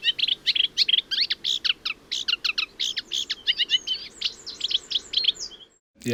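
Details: Eurasian reed warbler song, a wetland warbler found in Lincolnshire: a steady, chattering run of scratchy, high notes at an even pace with little pitch change, ending abruptly; quieter, lower and less imitative and repetitive than sedge warbler.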